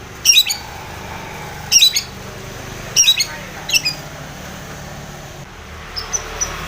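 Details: Rival-provoking calls of a long-tailed shrike: four short, sharp, high chattering bursts spaced about a second apart, then faint thin notes over a steady background hiss.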